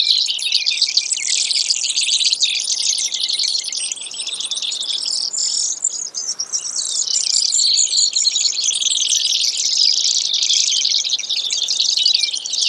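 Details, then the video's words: Brewer's sparrow delivering a long, continuous high trilled song, alternating rapid buzzes and slower pulsed rattles with slight rises and falls in pitch, almost without pause. "Brewers Sparrow Sound, Bird Call"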